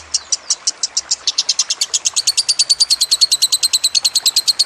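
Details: Lovebird chattering song with trickling water behind: high, piercing notes that begin spaced apart, then quicken into a fast, even trill of several notes per second.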